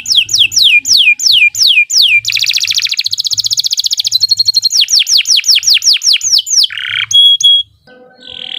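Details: Long canary master song used to train young birds, with repeated downward-swept whistles, a dense buzzing trill, and another run of swooping notes, ending in brief steady tones and a softer buzzy phrase.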